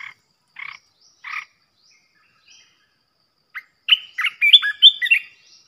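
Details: Red-whiskered bulbul, described as a fierce bird, singing as a decoy to provoke other bulbuls: three harsh, buzzy bursts, a pause, then a quick run of chirpy, warbled notes rising and falling over a quiet background.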